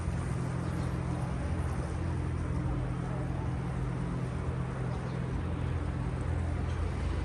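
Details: Steady rumble of engine or traffic noise with a low droning hum throughout, no animal calls heard.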